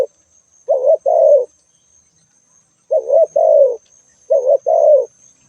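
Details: Spotted dove gives three soft two-part coos, a quick wavering hoot then a longer falling note, spaced well apart against near silence and a faint steady high whine.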